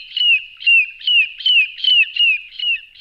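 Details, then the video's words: A common redshank gives a steady run of clear, downslurred, high-pitched whistled notes, evenly spaced at about seven in three seconds, with nothing else audible. "Chamariz, Señuelo, Perna Vermelha Comum, Tringa Totanus, Archibebe Comun"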